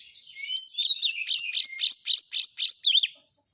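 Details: An oriental magpie-robin sings a long, fast, dense song: high slurred whistles lead into a rapid, regular string of bright, sharp repeated notes, ending with a twisting phrase.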